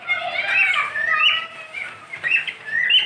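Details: Caged pet cockatiel giving a continuous warbling whistle, wavering and sliding up and down through several connected phrases, fairly loud and steady over a few seconds.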